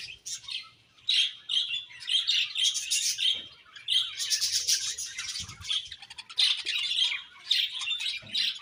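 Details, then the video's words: Pet budgerigars chattering in a steady stream of scratchy chirps, rapid ticking notes and harsh squawky bursts, loud phrases separated by brief gaps. "Beautiful Budgies Chirping Sounds"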